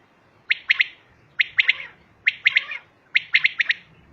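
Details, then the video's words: Female common quail calling in very regular phrases: a sharp note followed by a quick pair, the group repeated about every 0.9 seconds against faint background noise. "Common quail Calling| Female Quail sounds"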